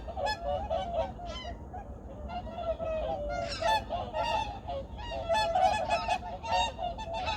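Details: Junam Reservoir, Changwon, early morning, 2019: assorted migratory birds give a busy mix of honks and squawks, irregular and packed close together, rising slightly in loudness toward the end.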